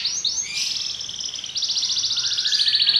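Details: A Belgian canary sings rising slurred notes that lead straight into a fast, rolling, high-pitched trill with a slight change of rhythm near the end.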